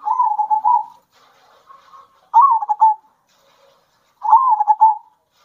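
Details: Zebra dove coo song of local birds, played to provoke other doves: three purring, rolling coo phrases, the later two beginning with a rising accent and falling away, spaced by quiet gaps.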